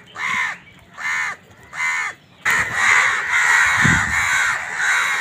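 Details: Crows fighting over food, giving a rapid series of harsh, nasal caws: three spaced calls, then a dense overlapping burst of continuous cawing from several birds.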